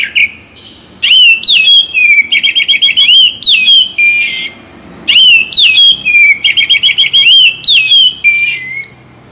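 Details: Oriental magpie-robin (Kacer Bagong) singing in a morning and evening recording for rousing other magpie-robins: a busy stream of sharp whistled notes and warbling trills, given in two long rapid phrases with a brief gap.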